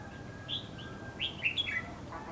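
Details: Red-whiskered bulbul used as a decoy in a trap set in bushes at Lương Sơn, singing to lure wild birds: a few bright, fluting whistled notes, some rising and some falling, packed into a short burst.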